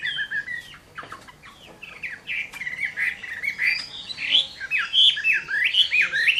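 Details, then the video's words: Chinese hwamei fighting song during a summer midday, opening with faint chirps and clicks, then swelling into loud, varied whistled phrases with quick up-and-down slurs. "HỌA MI CHIẾN HÓT TRƯA HÈ"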